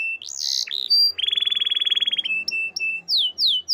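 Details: Canary singing in a small room: a sharp squeaky note, a rapid rolling trill, then steady whistled notes and quick descending slurs.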